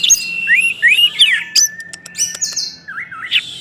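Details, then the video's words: Orange-headed thrush singing as a lure to trigger other thrushes into song: repeated rising whistled slurs, a long steady whistle, then a sharp burst of clicks and a falling high note, delivered in quick succession. "ANIS MERAH Macet Bakalan Ikut NGeplong bahkan Teler Dengan Suara Ini"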